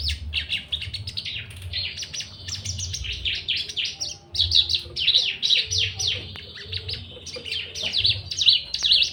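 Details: Caged Javan bush lark in breeding condition, wanting to mate, often trembling its wings and raising its crest while courting another lark; a dense, continuous run of varied chirps and trills, with faint low indoor rumble beneath.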